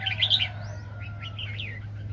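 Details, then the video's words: Highly agitated wild red-whiskered bulbul during bird trapping in 2020. It gives a bright, quick warbled burst, then softer slurred chirps trailing off, over a steady low electrical hum. "ĐẲNG CẤP BẪY CHIM CHÀO MÀO ||BỔI CỰC SUNG"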